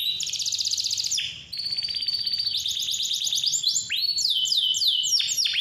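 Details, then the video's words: Lure song of an energetic canary for young or silent birds: dense buzzy rattles shift between pitches, then a brief pause before a series of upward-curving whistled notes. "KICAU KENARI GACOR SUARA JERNIH COCOK BUAT PANCINGAN"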